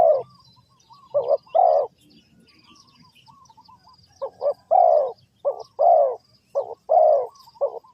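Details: Spotted dove at a bird trap in Ninh Thuận repeating its cooing phrase. Each phrase is a pair of quick, soft notes and then a drawn-out lower coo. A few phrases come in irregular bursts with a quiet pause between, over faint distant bird chirps.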